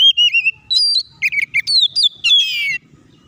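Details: Oriental magpie-robin in full, loud, fighting-style song, played as a lure to make other magpie-robins sing quickly and show their repertoire; rapid varied whistled phrases, sliding and warbled notes ending in a buzzy descending trill, with faint low background rumble.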